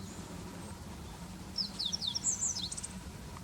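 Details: Meadow bunting song from late March 2021 at a greening center in Hiroshima Prefecture, Japan. After a quiet stretch comes a single bright phrase of rapid, high, slurred chirps that closes with a thin trill. Steady low ambient rumble underneath.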